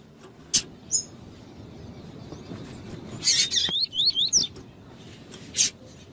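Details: Tui-tui Double-collared seedeater, with a female calling to stimulate a male: a single high whistled note, then a run of zigzag whistled slurs after a loud burst, with scattered sharp clicks throughout.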